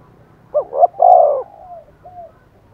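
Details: Spotted dove used as a decoy to rouse wild doves into answering. It gives one strong phrase of two short hoots, then a long, loud coo with a drawn-out fading tail and a soft final note.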